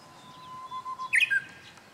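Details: Japanese bush warbler singing: a long steady low whistle held for about half a second, then a quick bright rising-and-falling flourish, over faint background hiss.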